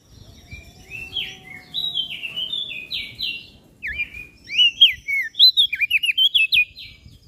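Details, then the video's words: Crested darkeye and prinia of Lombok, recorded as masteran for cage bird training: softer buzzy trills at first, then loud rapid whistled chips repeated over a low background murmur. "Opior Jambul gacor Mental Juara Masteran Jitu Burung Prenjak Daun Lombok"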